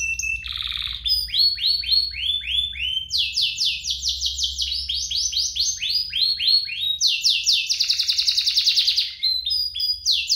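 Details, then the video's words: Singing canary, used as a prompt and tutor to get young canaries singing. Continuous, varied song made of rapid repeated sweeps, slurred whistles and fast high trills, with phrases shifting every second or two over a steady low hum. "cocok untuk pancingan kenari biar gacor, masteran kenari paud"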